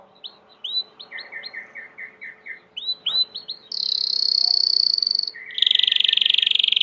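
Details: Belgian canary, domestic, singing: repeated downslurred chirps and lower notes, then loud sustained fast trills at two pitches, with faint background hiss.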